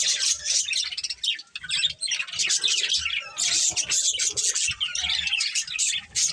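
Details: A group of colourful pet budgies chirping and warbling continuously, high scratchy squeaks and chattering trills overlapping, with brief dips in loudness.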